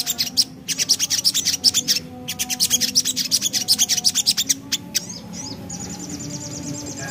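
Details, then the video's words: Javan black-capped babbler in lively ngriwik song: a long run of fast, high, dry chattering notes, several per second, ending in softer thin high notes, with a steady low hum in the background. "Suara Nembak Ngriwik Burung Sogok Ontong Gacor"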